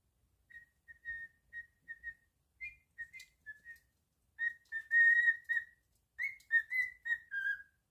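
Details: Pet cockatiel whistling indoors: a run of clear, even whistled notes at one steady pitch, then a louder burst of longer warbled and gently falling whistles, with short pauses between phrases.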